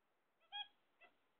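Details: Kept zebra finches waiting for eggs: one loud nasal, harmonic beep followed by a softer, shorter second note, in an otherwise quiet background.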